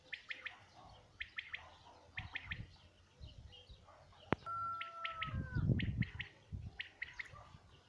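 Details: Common quail in 2019 giving its rapid three-note song phrases in repeated bursts, interrupted midway by a sharp click, a clear sliding whistle from another source, and a low rumbling noise.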